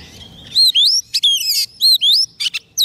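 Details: A soft-food-fed shama sings to bring in wild birds: swooping whistled phrases that rise and fall, each followed by rapid chattering notes. The bird is a white-rumped shama.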